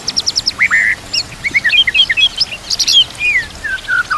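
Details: Training song of a white-rumped shama (murai batu), played to teach other birds: quick high chips, then a rich mix of whistled, sliding notes ending in descending slurred whistles.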